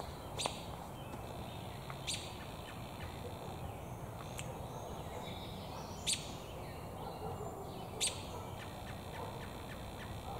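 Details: American robin in a tree with its beak full of damselflies, possibly seeking a mate, gives loud isolated chirps every two seconds or so, amid faint ticking sounds and steady ambient noise.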